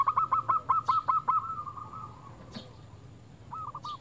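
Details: Local zebra dove song meant to call and provoke a rival: a quick run of about nine short cooing notes in the first second and a half, fading away, then a few faint coos at the end over steady background noise.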